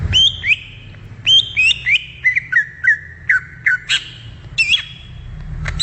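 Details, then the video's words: Wild greater green leafbird singing a run of clear whistled notes that slide down from high to mid pitch, with short breaks between phrases and a low rumble underneath. "SUARA ASLI CUCAK IJO DI ALAM LIAR"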